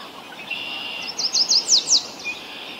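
Yellow warbler singing a quick run of about six high, sweet slurred notes, accelerating and rising, over a steady high insect-like hiss.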